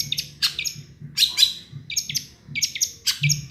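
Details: Long-tailed shrike singing with imitations of small birds: bursts of high, chirpy and scratchy varied notes, some sliding, in quick clusters with short gaps, over a low steady hum.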